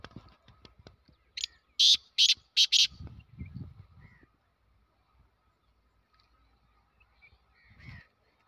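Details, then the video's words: Black francolin calling: four loud, harsh, grating bursts in quick rhythm, followed by softer low rustling sounds, then near silence with a faint later note. "Pure Laka Kala Teetar"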